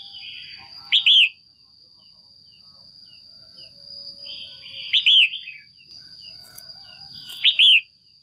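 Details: Female Red-whiskered Bulbul, kept in a cage, calling to stimulate males or for pairing: three short, bright chirping phrases about every three seconds, with softer chatter between and a steady high electronic whine throughout.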